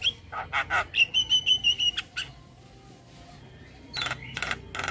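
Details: Starling singing, used to coax other starlings into song: a few rough notes, then a rapid series of clear whistled notes on one pitch, a pause, and more harsh chattering at the end over a low hum.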